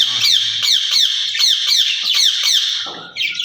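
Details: Two ringneck parrots in a cage exchange a run of harsh, evenly spaced squawky syllables about four per second, followed by a short pause and a final quick burst.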